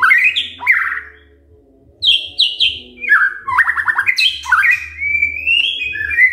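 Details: White-rumped shama morning lure song for provoking silent shamas: rising whistles, paired high chirps, a quick trill of falling strokes, then a long wavering whistle climbing higher, with low hum behind.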